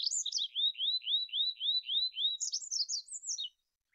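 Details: Olive-backed pipit song. Around eight evenly spaced, sweet, downslurred whistles come in quick succession, followed by a higher, faster, jumbled twitter before the song stops abruptly.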